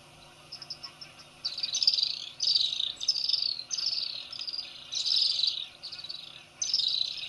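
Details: Little swifts drinking at Ol Donyo waterhole in Kenya at 8.30 am on 20 October 2024: shrill, high buzzy trills in bursts of about half a second to a second, coming every second or so, with a few short chips between them.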